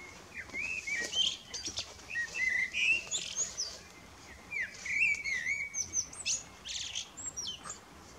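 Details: Male common blackbird singing an evening serenade toward the moon: mellow, fluting warbled phrases, each ending in high thin twitters, delivered in quick bursts over a soft outdoor background hiss.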